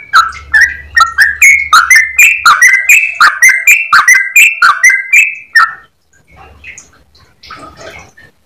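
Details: Yellow-vented bulbul in a long, clear, rapid run of bubbly whistled notes for nearly six seconds, then stopping, followed by quiet rustling and faint background noise.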